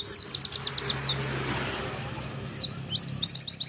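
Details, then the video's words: Oriental white-eye lure song to set birds singing: a quick volley of about seven high, clipped chirps, a brief lull with softer notes, then another fast series of bright, sharp twitters. "pancingan pleci buka paruh, ngalas, bongkar isian"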